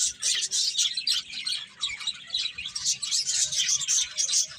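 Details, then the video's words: Birds chirping rapidly, a dense chorus of short, sharp tweets, about three or four a second, with thin whistles near the end. "Cute Birds Chirping Sounds"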